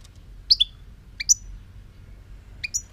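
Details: European goldfinch, 2018: three short clusters of sharp high chirps, each a quick two-note tweet sliding downward, spaced about a second apart over faint low hum.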